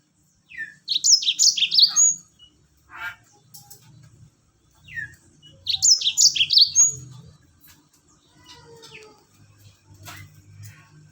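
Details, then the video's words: Mozambique canary singing a "rol tembak" phrase, played to set other birds singing: two bursts of rapid high warbling, each closed by a short pure whistle, about five seconds apart, with faint other chirps between. "masteran Mozambik rol tembak bikin burung lain ikut bunyi."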